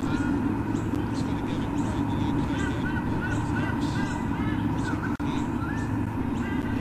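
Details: Nest visit by White-bellied sea eagles in Olympic Park, Sydney, Australia, on 13 October 2014, picked up by a nest camera: a run of honking, goose-like squonks repeated roughly every half second against constant low humming background noise.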